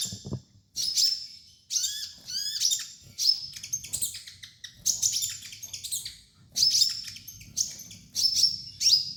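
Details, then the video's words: Sunbird singing as a master for training other birds: rapid, high twittering runs of sharp chips and short down-slurred whistles, nearly continuous for several seconds, with faint low background noise. "MASTERAN KOLIBRI NINJA DAN TERAPI KONIN BAHAN"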